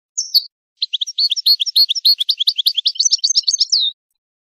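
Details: Goldfinch singing a long, fast run of bright, tinkling chirps and twitters, several notes a second, after a brief opening note. The recording comes from a song tape meant for teaching young songbirds, with no background noise.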